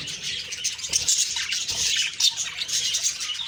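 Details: Budgies in the morning, October 2, 2023, keeping up a constant jumble of shrill twitters and short squawks, several voices at once with faint soft tapping.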